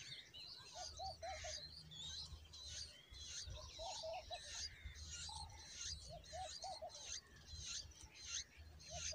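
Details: Bulbul chicks being fed a large worm by a parent: dense, buzzy high chatter and squeaky begging notes in bursts, with a low, repeated triple hooting note from another bird in the background.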